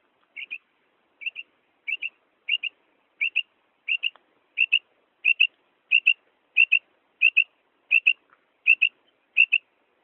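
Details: Quail hen giving her kirk call, known in the village as madi batair ki awaz and used by hunters: crisp paired whistles repeated steadily about every 0.7 seconds, a dozen or more pairs, nothing else audible.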